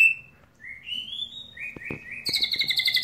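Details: A white-rumped shama from North Bali sings a run of clear, rising whistled phrases ending in a rapid, rich warbling trill, with a few soft clicks in the background.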